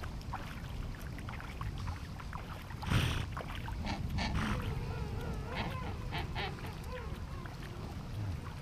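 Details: King penguins gathered in a glacial river at Gold Harbour, South Georgia, with rushing water dominating; a thump, then several warbling, wavering calls rise and fall in the second half.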